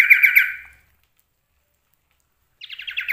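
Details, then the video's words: Common iora (sirtu/cipoh), male kept bird with a rich mimicked repertoire; a short burst of quick chattering notes fades out, a long silence follows, then a fresh buzzy trilled phrase begins. "CIPOH/ SIRTU mewah isian NEMBAK"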